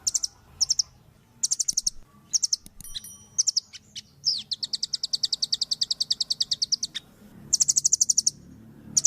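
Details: Velvet-fronted nuthatch, a red-billed bird used for song-training, singing vigorously: short bursts of rapid, very high piercing notes, then a long fast trill of about three seconds, ending in another quick high burst.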